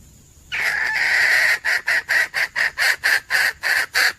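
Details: A drawn-out raspy note from a female red junglefowl, a recording meant as a hunting lure, breaks into an even series of about ten short, rough cackles at roughly three per second.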